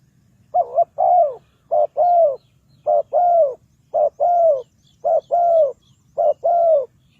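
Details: Spotted dove calling, used to lure wild birds into a trap. Loud, clear coos in pairs: a short note and then a longer rolling note, repeated six times at about one-second intervals. Faint high chirps from other birds sound behind.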